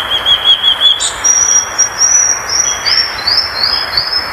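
Violaceous Euphonia song: a high, thin warbled trill, then a long piercing whistle, then quick rising notes about every half second, over faint background hiss.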